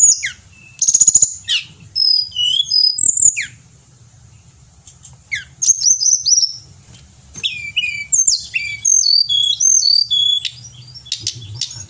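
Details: Energetic Pied bushchat song meant for tutoring kept songbirds: loud clustered chips and high slurred whistles, a pause of near quiet, then dense runs of varied twittering and descending whistled notes, over a low background hum.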